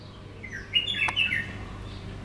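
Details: A little spiderhunter (Arachnothera longirostra) gives a brief burst of sharp, high chirping notes lasting under a second, with a single click in the middle and a steady low background hum.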